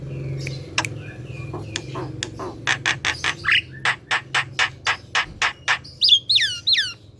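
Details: Javan pied starling (jalak kebo) kept at home, singing: scattered squeaks, then a long fast series of harsh grating notes, ending with several swooping downward whistles, low hum underneath.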